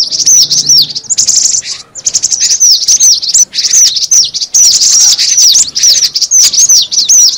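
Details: Lure calling of cinereous tit: continuous, fast, high twittering with repeated descending chirp notes, interrupted by a couple of brief silent gaps.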